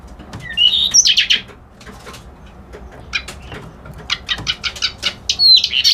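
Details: Reed warbler, the white-browed kerak basi of local naming, singing scratchy chattering phrases: a harsh burst with a thin whistle, then a pause, then a rapid run of clipped notes ending in a rasping, whistled flourish.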